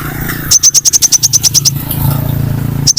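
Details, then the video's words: Sunbird lure recording used to attract birds: a quick run of about twelve thin, high chirps, evenly spaced, then silence, with a low rumbling hum underneath throughout. "Pancingan konin paling ampuh full suara pikat burung Kolibri ninja"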